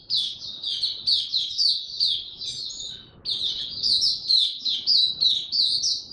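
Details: Oriental white-eye, a caged bird being brought into form, singing a rapid, continuous twittering of high, thin chirps in fast phrases, with a brief break near the middle before the twitter resumes.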